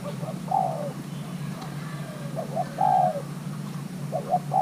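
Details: Young male Thai-hybrid spotted dove during pairing repeats its low cooing: short clipped notes alternating with longer level coos that slur downward, several phrases in quick succession above a steady background rumble.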